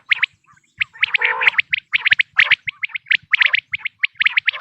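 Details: Quail calling for hunters, 2026 season: scattered crisp high chirps in quick pairs and triplets, one lower gargling trill near the start, with little else audible.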